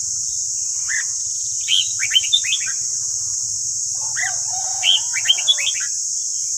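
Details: Red-whiskered bulbul singing, used as a morning voice-training recording for caged birds; two bursts of quick rising and falling whistled notes over a steady high hiss and a low mechanical hum.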